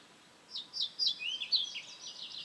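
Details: Ficedula hypoleuca giving a short, high, chirpy phrase of slurred notes, some sweeping downward, delivered rapidly over faint steady background hiss.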